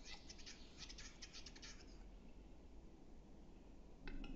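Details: Western capercaillie at Metsis, Estonia, April 2018: about two seconds of fast, sharp ticking clicks that speed up slightly, then a pause and one louder click near the end, over constant low rumbling noise.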